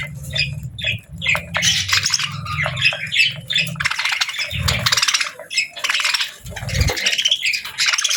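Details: Pet budgerigars squawk and chatter in harsh, buzzy bursts and quick chirps, nearly without pause, over a low droning hum and occasional thuds.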